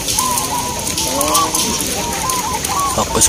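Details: Zebra doves (perkutut) at a local bird-song contest near Borobudur, Magelang, Central Java, give soft, rolling cooing phrases in quick, bubbling runs, with other doves calling and a man's voice commentating.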